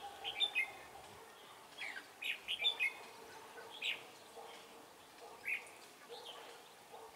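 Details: Decoy red-whiskered bulbul in a trapping setup gives soft, scattered chirped and warbling phrases, some bursts of two or three notes, spaced irregularly about a second or two apart against a quiet hum.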